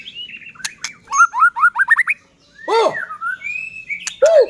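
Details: White-rumped shama used to make other shamas sing: a thin drawn-out whistle, then a rising series of about seven quick upslurred notes, a loud downward swoop, a long clear whistle and a final arched note.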